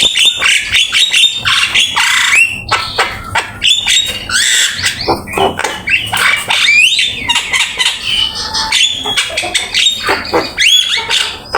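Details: Energetic Javan myna master song for training birds: a long run of harsh chatter, creaky squawks and quick rising whistles, varied and nearly unbroken.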